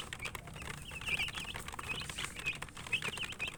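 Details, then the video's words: Chicks cheeping while eating: scattered high, short peeps at irregular intervals over pecking and clicking sounds and a low background rumble. "Murgi chicks Chirping sounds and eating"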